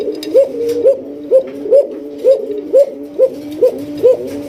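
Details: Basiraj Koka pigeons, a domestic breed famed for very loud calls, in a loft in Bangladesh; steady series of deep, upswept coos, about two per second, clear and rhythmic in a small indoor space.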